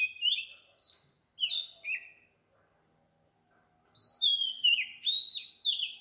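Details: Oriental magpie-robin singing at 4 am on a tropical island in Sri Lanka: clear whistled phrases sliding downward, a pause of about two seconds, then a longer burst of varied falling whistles, over a steady fast-pulsing insect trill.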